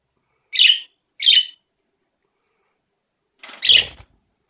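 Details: Pet budgerigars snacking on mixed berries give three short, scratchy chirps separated by brief pauses.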